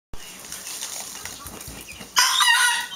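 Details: A young rooster, his voice still changing as he learns to crow, gives a short, squeaky, cracking crow that breaks off after under a second, after a stretch of quiet background hiss.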